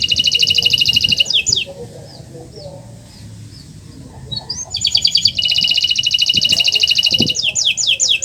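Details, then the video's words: Canary song from a master track for prompting silent canaries: bursts of rapid high trills separated by a quieter gap with faint chirps and background noise. "Masteran Burung Kenari untuk Pancingan Burung Macet Bunyi"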